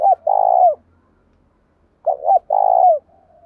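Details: Decoy spotted dove goading wild doves to fight, with a 'thổ pha' style voice; two cooing phrases, each a clipped double hoot followed by a long buzzy, slightly falling coo, with a low faint rumble behind.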